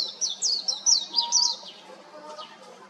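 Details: Warbling white-eye singing from an electric wire: a quick run of high, slurred whistled notes darting up and down, fading into a softer, distant trailing phrase near the end.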